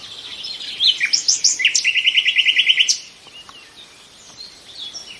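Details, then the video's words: A nightingale sings clear rising whistles and chirps, then a strong, fast trill of about a dozen repeated notes that stops abruptly, followed by faint distant chirps. "A few minutes of lull with the sound of nightingales"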